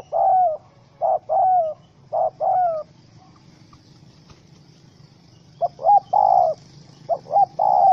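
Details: Spotted dove, wild and angry after being caught in a rope trap, 04/07/2017: clipped paired coos in quick bursts, a silent pause of about two seconds, then more rapid doubled coo notes.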